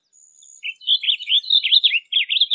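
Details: Blue grosbeak singing a fast, jumbled warble of slurred, rising and falling notes, beginning after a faint lead-in and running without pause for about two seconds.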